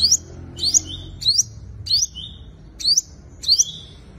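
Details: Five-coloured sunbird's combative song, used to lure wild birds: a brisk series of high rising chirps trailing into short level whistles, roughly seven phrases in four seconds, little else heard.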